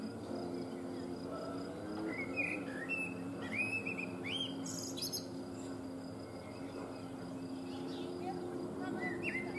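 A Eurasian blackbird gives scattered short whistled phrases with a few high twittering flourishes, over a steady low hum and background hiss.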